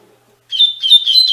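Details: Short start of a coleiro's Tui Tui Fibra song, a tutoring recording for captive double-collared seedeaters: a string of bright, high whistled notes, loud and clear, cut off after under a second.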